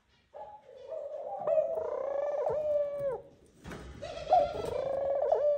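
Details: A male Eurasian collared dove calls his mate to the nest during courtship; a sustained low moaning coo with a rich, reedy overtone, a brief break with a clattering noise, then the drawn-out coo resumes.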